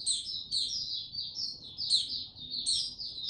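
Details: Male mata puteh (white-eye), 6 March 2022, building toward opening his song; continuous high, sweet twittering in smooth linked phrases, with a sharp rising chip roughly every second.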